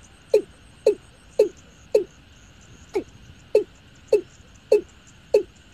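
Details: A watercock (Gallicrex cinerea), used as a lure call for night netting, gives a steady series of deep, hollow, slightly falling notes, about two every second, over a constant high insect-like drone.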